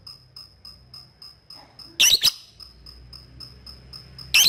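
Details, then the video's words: Lovebird ngetik ticking, used to call a rival so young birds trill ngekek; a regular series of faint high pips, a loud harsh double burst midway and another at the end. "LOVE BIRD NGETIK MEMANGGILLAWAN AGAR RAJIN NGEKEK"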